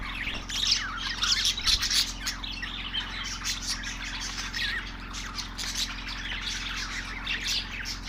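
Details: A group of budgies chirping together, a busy blend of warbles, squeaky chirps and short squawks without pause, with a constant low hum beneath.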